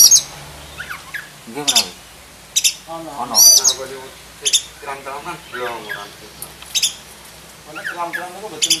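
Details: Black-breasted oriental magpie-robin (kacer dada hitam) with a full, rich isian song: scattered sharp high chirps and short whistled phrases every second or so, under steady men's conversation.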